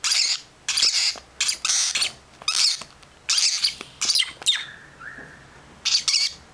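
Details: Baby lovebirds from a pet pair's second clutch, kept indoors, giving hoarse, hissing, high-pitched begging bursts in uneven rhythm, with one brief clear whistled note midway.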